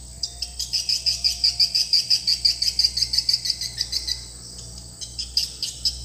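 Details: Call used to draw swiftlets into a swiftlet house: a rhythmic series of bright, clicking high chirps, roughly three per second for three seconds, then a pause and a few more, with low hum.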